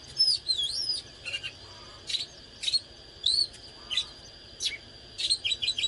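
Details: Oriental magpie-robin in fired-up song and display, giving sweeping clear whistles mixed with short buzzy bursts, phrases spaced about a second apart, over a steady high-pitched hum in the background.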